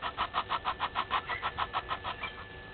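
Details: A red-billed hornbill looking for a meal at Gowrie dam waterhole, Djuma Game Reserve, Sabi Sand, South Africa, at 07:48 on 20 March 2021, gives a fast, even run of hollow clucking notes, about six a second, fading over a soft hum.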